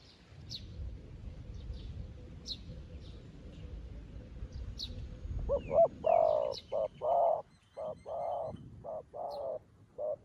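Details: Decoy dove in training on the ground, calling to lure wild doves into a trap; faint high chirps from small birds at first, then a run of low, hollow, evenly pitched coos, short and long notes alternating.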